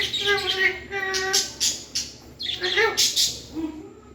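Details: Talking pet parrot producing a quick string of voice-like syllables, steady harmonic tones broken by sharp bright clicks and breathy bursts, then a falling, speech-like phrase at the end.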